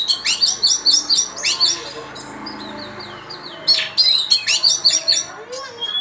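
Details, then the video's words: Oriental magpie-robin, a first-place contest winner, giving high chirping phrases repeated in quick bursts, sharp rising notes with brief thin warbles between, then another run of rapid chirps. "Mantap Kicauannya..!!/Juara 1 Burung Kacer"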